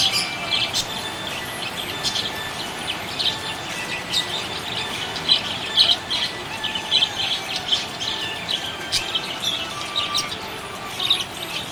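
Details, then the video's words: Budgerigar chirping happily, a steady stream of quick high chirps and squawky notes, bursts of louder chatter coming in clusters through the middle. "Happy budgie chirping sound"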